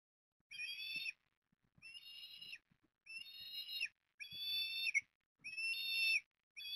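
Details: Eastern ospreys at Port Lincoln, Australia, during morning feeding of chicks on 20 September 2022: high, thin whistled calls with stacked bands, each lasting under a second, repeated roughly once a second with short gaps.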